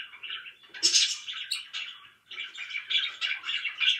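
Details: Pet budgerigar chatter: continuous throaty warbling with squeaky notes, one louder chirp burst near the start, a brief pause, then the chattering resumes.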